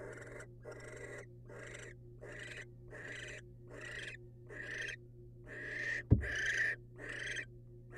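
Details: Wild barn owl pair as the male hands a rodent to the female: a run of rasping hisses roughly twice a second, growing louder toward the end, with one sharp bang and a steady hum behind.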